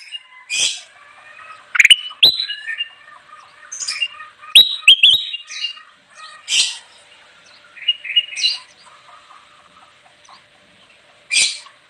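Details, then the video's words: Kutilang emas bulbul in energetic song for luring wild birds: scattered loud clicks and short whistled figures alternating with harsh, scratchy bursts, delivered in irregular phrases a second or two apart. "suara burung kutilang emas gacor cocok banget buat pikat"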